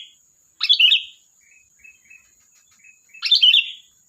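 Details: Sooty-headed bulbul gives two loud, rich bubbly phrases about two and a half seconds apart, with soft short chirps in the gap and a constant faint high-pitched whine.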